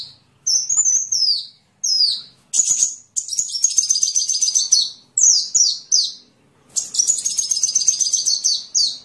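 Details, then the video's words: Sunbird song used as a master recording for training songbirds: very high, sharp chirps and descending sweeps, then long rapid chattering runs broken by short pauses, with a quiet low hum underneath. "Masteran burung Kolibri"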